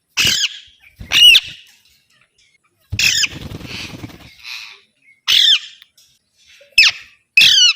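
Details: Alexandrine parakeet delivering a series of loud, raspy squawks in irregular bursts, with a noisy rustling stretch in the middle.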